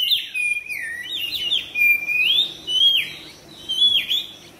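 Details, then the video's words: Kacer, or Oriental magpie-robin, in full song (gacor), tail spread: sweet whistled phrases that rise and fall, repeated roughly once a second with slight variations, in a continuous flowing stream. "TERAPI KACER CEPAT RESPON GACOR BUKA EKOR"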